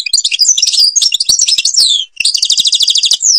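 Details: Algerian European goldfinch performing the Babas forest Tibrli song: a continuous, dense rush of high twittering notes and quick slurred trills, with a brief gap before a fast, regular rattling series.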